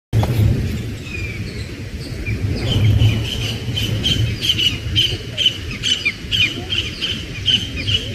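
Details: A bulbul at its nest reacts to predators overhead with sharp, harsh alarm notes, coming about twice a second and growing more insistent, over a steady low rumble of wind.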